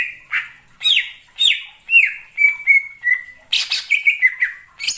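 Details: Greater green leafbird lure song used in trapping: evenly spaced falling whistles, then a burst of quick chattering notes with long clear descending tones.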